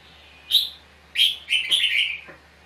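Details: Red-whiskered bulbul (chào mào) dueling song, trapped with a decoy bird: one sharp whistled note, a pause, then a fast rolling run of liquid chirps that slides slightly downward.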